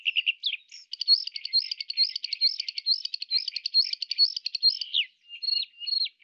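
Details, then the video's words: Bluethroat from Moscow or Ryazan region, Russia, male song and female alarm noted: a rapid, dense run of repeated metallic, ticking and buzzy notes, about two per second, high-pitched, then a few looser squeaky phrases. "Вара́кушка. Голос. Песня ♂. Тревога ♀."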